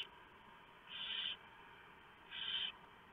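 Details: At a barn owl nest in the early hours of 3 November 2015, prey delivered by the male is shredded for the owlets; two drawn-out breathy hisses, each under half a second, about 1.5 seconds apart.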